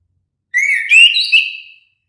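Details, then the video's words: Orange-headed thrush (anis kembang) singing one rich whistled phrase of about a second, sweet notes sliding upward and warbling, against a silent background. "suara merdu burung anis kembang"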